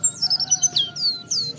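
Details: Brief burst of oriental white-eye song, meant to draw other white-eyes into singing: a few high slurred whistles sliding downward, separated by short gaps, over a faint steady hum.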